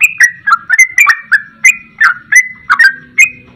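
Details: Yellow-vented bulbul giving rapid, rich, bubbling notes, about three or four a second, sliding between middle and high pitches in imitation of a straw-headed bulbul.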